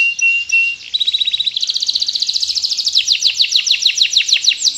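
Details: Canary in full song, a prized singer: a steady whistled note, then fast trills of repeated notes switching to rapid descending buzzy sweeps, several syllables per second, loud and continuous.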